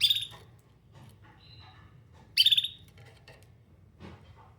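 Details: Canary looking for other canaries, giving two bright, short chirps about two seconds apart, with faint softer notes in between over a low background hum.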